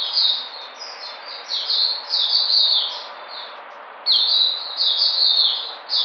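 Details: White-eye recorded 13 February 2020 as it returns to form: two bursts of high, sweet twittering warble separated by a quieter gap of about a second.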